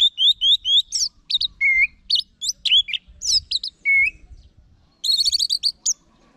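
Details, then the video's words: Orange-headed thrush, known locally as anis merah, singing a varied run of clear whistled phrases. Short repeated rising notes open it, then slurred and descending whistles, then a rapid burst of high twittering notes near the end. "Guru Vokal ANIS MERAH"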